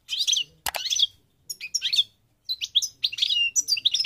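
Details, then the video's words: Moroccan parva goldfinch singing scattered twittering phrases of sharp high chirps, opening with a sudden click, the notes quickening into a denser run at the end. "The Goldfinch's Song North Africa - Parva Morocco Bird Song"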